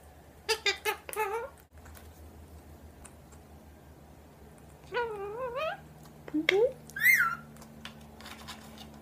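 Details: Indian ringneck (rose-ringed) parakeet talking indoors, saying "Chewie!" and a website name in three short bursts of nasal, speech-like words with wavering pitch, ending on a high squeaky note over a low hum.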